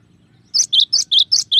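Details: Cinereous tit song, six quick high double notes alternating a bright upper note and a lower one, evenly spaced in a rapid, ringing series.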